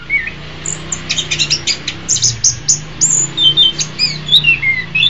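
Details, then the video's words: Master song of the orange-headed thrush, used to teach other songbirds: thin high chips and twitters, then clear sliding whistles, over a steady low hum. "Masteran Terbaik Anis Kembang"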